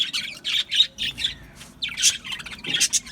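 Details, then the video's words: Budgerigar parrots chirping in short bursts of bright, scratchy chatter, each burst about a quarter second long and separated by brief gaps, with a few sharper squeaks near the end. "Budgie Parrots Chirping sounds"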